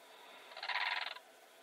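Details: Blue crane uttering one short, grating, rattled call of about half a second against faint steady background noise.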